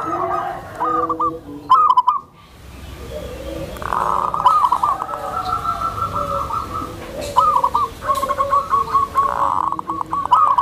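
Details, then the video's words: A tame zebra dove calls softly to attract other zebra doves, suitable for training newly acquired birds; stuttering rolled coo phrases, one longer drawn-out run, with faint clatter and a quiet gap. "SUARA PERKUTUT JINAK, LEMBUT, DAN MEMANCING PERKUTUT LAINNYA...⁉️COCOK UNTUK TERAPI PERKUTUT BARU"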